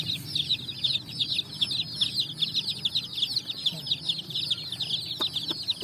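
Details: Chicks dyed in bright colours scurrying over sand in the evening looking for food, giving a busy stream of high, sharp peeps, about two or three per second, with a couple of faint clicks near the end.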